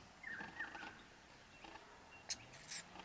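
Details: Wild rainbow lorikeets, a pair of parents feeding their two young powdered nectar at a front balcony; brief high-pitched calls: a short whistle near the start, then a thin shrill screech late on.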